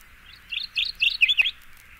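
Mourning Warbler singing a quick, rich phrase of about five slurred, chirping notes in under a second, high and bright, ending abruptly; nothing else is heard.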